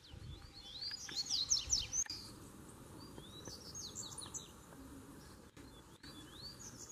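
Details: Song of a double-collared seedeater confronting a caged bird: a loud, rapid cluster of piercing slurred notes early on, followed by softer scattered phrases and sharp clicks.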